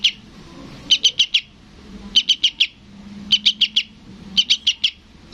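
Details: {'caption': 'Juvenile sooty-headed bulbul calling its parent. A single chip, then four evenly spaced bursts of four rapid, high, clipped notes about once a second.'}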